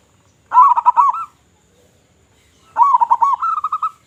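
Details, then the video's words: Two clear phrases from a loud local zebra dove used as a lure: each opens with rapid, bubbling rolled coos and ends in a run of evenly repeated, slightly higher coo notes. "Perkutut Lokal Gacor Suara Besar Suara Paling di Sukai Burung Perkutut apa Saja"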